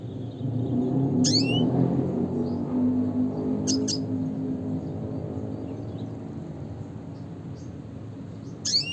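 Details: Red siskin (Spinus cucullatus) giving its classic call: three brief, high, sharp chirps a few seconds apart over a loud, steady low hum.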